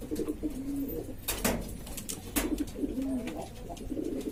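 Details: Several breeds of Lombok domestic pigeon, a restless flock in East Lombok, Indonesia: short, low, humming coos in bursts, broken by loud dry clicks and knocks.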